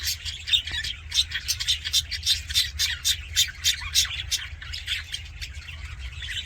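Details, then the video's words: Budgerigars making happy sounds, likely an aviary flock: rapid busy chirping and warbled squawks packed densely together, many short notes a second with no clear pause, over a steady low hum. "HAPPY BUDGIE SOUNDS FOR LONELY BUDGIES"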